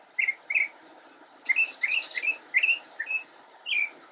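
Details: Immature mockingbird (Mimus polyglottos) perched in a bush in North Carolina in autumn 2016, singing scattered sweet slurred chirps, some in quick pairs, with short pauses and one brief harsher burst.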